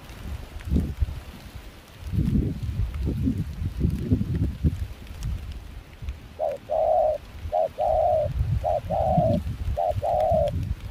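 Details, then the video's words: Spotted dove kept as a decoy for dove hunting in Kon Tum, Vietnam, calling during cold, windy rain. Several seconds of gusting wind, then repeated soft coos in short-long pairs, steady and mellow, with wind still roaring underneath. "Gác cu khi trời mưa gió se lạnh.bổi giọng pha nước ngoài chơi tốt"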